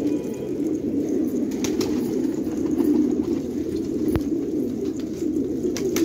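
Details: Fighting pigeons at a village in Khanabad, Afghanistan, producing a dense, low gurgling coo chorus, steady in level, broken by a few sharp taps and one loud click.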